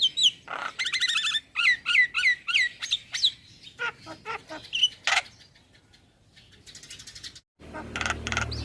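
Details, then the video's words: Young male Javan myna in full song, a varied run of sharp whistled and buzzy notes, some sliding downward, repeated in quick bursts about three per second, then harsher rasping notes and a brief burst of noise at the end. "Jalak Kebo Jantan Muda Gacor"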